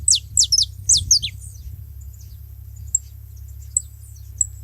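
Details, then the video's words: At a feeding spot with other saffron finches, one opens with four quick high slurred notes dropping sharply in pitch, then falls back to sparse faint chips over a low steady hum. "Canário da terra junto fazendo barulho na seva"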